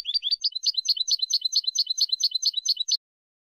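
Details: European goldfinch, Málaga recording from 2020 of clean competition song used to tutor young birds: a rapid run of bright twittering notes repeated over about three seconds, with no other sounds.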